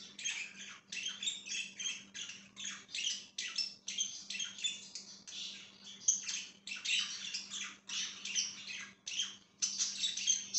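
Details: Budgerigar chattering on 5/10/2023 in quick, evenly spaced bursts of scratchy, buzzy chirps and squeaks, nearly without pause. A constant low hum lies beneath the chatter.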